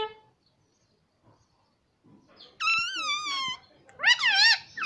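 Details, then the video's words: Talking pet rose-ringed parakeet saying "mummy papa": near silence, then a long, steady harmonic phrase with a slight wobble, followed by a louder burst of wavering syllables. "मम्मी - पापा बोलने वाला तोता"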